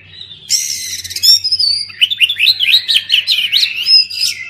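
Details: Oriental magpie-robin singing, used to prompt silent birds after moulting to sing: a soft high note, then a buzzy harsh burst, followed by a rapid run of varied whistled, rising and falling phrases.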